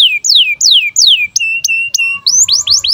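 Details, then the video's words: Canary in breeding condition with birahi chirps used as tutor song: slow high downslurred whistles, a few short flat notes, then quick upswept chirps. "KENARI GACOR Cuit CUIT BIRAHI UNTUK PANCINGAN & MASTERAN Kenari PAUD AGAR BUNYI DAN NGEROL"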